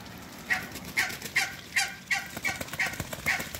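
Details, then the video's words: Muscovy ducks on a farm giving short, sharp calls repeated about every half second, eight in a row, each a brief bright note with a hoarse edge, over steady background hiss. "MUSCOVY DUCKS"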